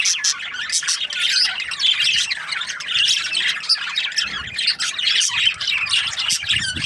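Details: Breeding pairs of budgerigars in a dense, continuous chorus of scratchy chirps, squawks and warbling chatter, many birds calling at once with no pauses.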